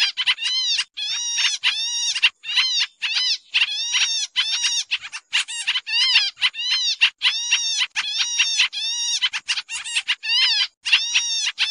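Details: Sooty-headed bulbul lure sound for bird trapping, a busy and noisy recording. Continuous harsh, buzzy chatter of harmonic notes, many arched or falling, pours out in rapid clusters with only brief silences throughout.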